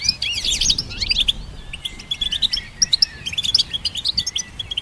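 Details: Goldfinch hybrid song for training songbirds opens with a busy burst of rapid slurred chirps, then settles into spaced, bright, clipped tweets and short whistled notes.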